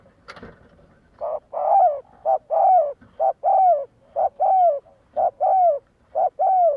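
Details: Decoy spotted dove in training, cooing steadily about once a second: each unit is a brief note and then a longer downward coo, after a sharp click at the start.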